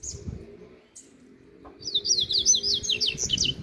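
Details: Double-collared seedeater singing the song style called 'grego': a fast, buzzy twittering trill of high notes repeated rapidly for about two seconds, preceded by a few isolated chips, over low background rumble.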